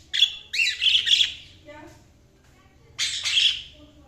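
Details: Budgerigar chatter in two loud bursts of rapid squeaky chirps, separated by a quiet stretch of soft murmuring.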